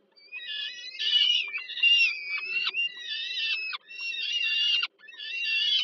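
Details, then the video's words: Peregrine falcon chicks begging as the mother feeds them at dinner, Żerań, Warsaw, Poland, 15 July 2022: harsh, wheezy drawn-out screams, several overlapping, in long bursts with brief gaps, steady faint hum beneath. "Sokół wędrowny Warszawa, Termika Żerań (PL)- kolacja, Nela karmi maluchy 2022 07 15"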